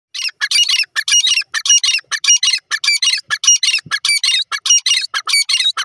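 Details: Grey francolin, known locally as teetar, calling: a rapid, harsh, chattering run of squawky notes repeated steadily, loud and close, with no other clear sounds.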